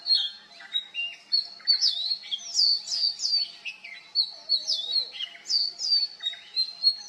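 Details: Mimicking Oriental magpie-robin delivering a rich, rapid song of bright whistles, slurred downward notes and churrs in quick succession, loud and continuous, with a faint low humming tone in the background.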